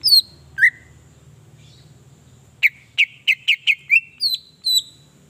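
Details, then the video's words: Song of a greater green leafbird, used to provoke other leafbirds into song: two whistled slurs, a pause, then a quick series of about seven bright chips ending in falling whistles, with a soft low hum behind. "PENDONGKRAK EMOSI CUCAK IJO JADI GACOR"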